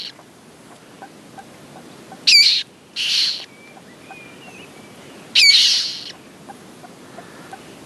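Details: Common moorhen at its nest with eggs and newly hatched chicks; three short, squeaky, rasping high calls with thin whistled overtones, two close together, then one more after a pause, over a quiet background.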